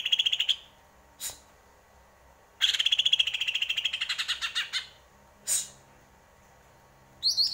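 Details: Greater green leafbird singing: a rapid run of bright, buzzy repeated notes, preceded and followed by short sharp high chips and a brief high squeak at the end, with quiet pauses between phrases.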